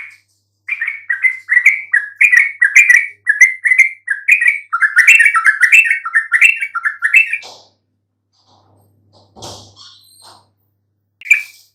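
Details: Bulbul lure song, yellow-vented, to make silent birds reply: a fast run of bubbly, rolling warbled notes for about seven seconds, then a pause with a faint rustle and a few scattered notes.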